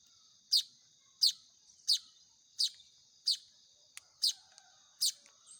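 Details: Begging Baya weaver nestlings being hand-fed: a rapid series of bright, high chirps, each sweeping downward, about every 0.7 seconds, plus a faint click and a steady high whine.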